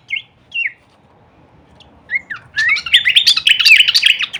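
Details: Horsfield's babbler singing a full-variation kleperan song used as masteran training audio for songbirds: a few isolated downslurred whistles, then a dense, loud burst of rapid chattering and slurred notes in the second half.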